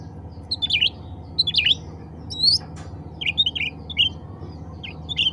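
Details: Cucak ranting bulbul calling others of its kind with bright, fast chirps and brief warbled phrases, bursts repeated about every second, above a constant low mechanical hum.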